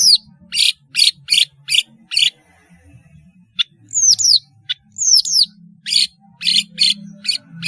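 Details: Melodious long-tailed shrike song serving as a tutor for juvenile shrikes: a rhythmic run of harsh rasping notes, a pause, paired high whistles falling steeply in pitch, then another series of grating notes; low hum in the background.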